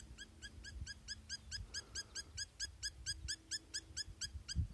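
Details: Rapid metallic piping from a spur-winged lapwing, evenly spaced bright notes repeated just over twice a second, with a soft steady hum and occasional low thumps.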